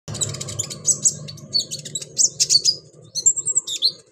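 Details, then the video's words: Pygmy cupwing (konin) gives very high, thin chirps and twittering notes in quick bursts, about two or three a second, over a faint low hum. The recording is offered as a lure and therapy call to prompt these birds to sing. "KONIN GACOR MASTERAN❗KONIN TERAPI❗KONIN PANCINGAN"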